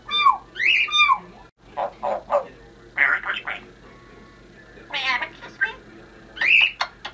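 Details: A female Congo African grey parrot mixes whistled, falling tones with clipped speech-like syllables while wishing a Happy New Year, ending on a rising-falling whistle and two sharp clicks.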